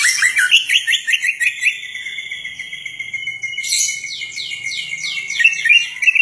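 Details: Greater green leafbird giving a rich, varied song with imitated songs that one listener says sound like a murai: a rapid run of bright chirps, a sustained high whistle, then fast descending trills and sweeping notes.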